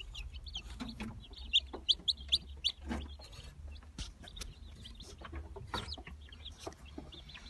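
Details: Several Brahma chicks from the 2018 season peeping: quick, thin, high cheeps that come in bursts, the loudest run near the second second, with knocks and shuffling in between.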